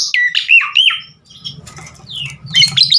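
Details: Javan pied starling song: a few loud squawky, falling whistles, a rustling low noise in the middle, then more harsh notes.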